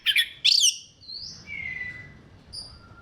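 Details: Orange-headed thrush singing, meant to coax other thrushes into song: two harsh buzzy bursts open, followed by long sliding whistles, one falling slowly, then fainter thin high tones over light background hiss.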